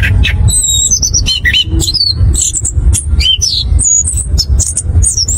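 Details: Anis kembang, the orange-headed thrush of Southeast Asian forests, delivers a ngerol ngeplong lure song meant to get birds singing fast: rapid, varied, high whistled notes with quick up and down slides, almost unbroken, backed by constant deep hum.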